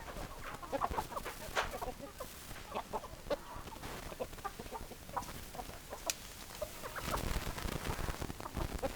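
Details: Hens clucking: irregular short clucks and a few sharper squawks, scattered across several birds, set against persistent low-frequency noise that grows stronger toward the end.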